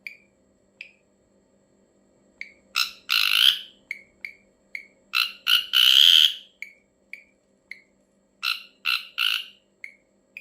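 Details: Strange call of an ashy drongo: spaced short chirps interrupted by clusters of loud harsh buzzy rasps, some long and drawn out, the pattern repeating twice more.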